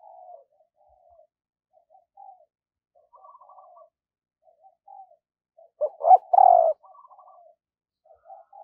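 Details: A spotted dove decoy coos in the morning to lure wild birds. Soft, scattered low coos and faint twitters, then one loud phrase of short coos with a long falling coo near the end.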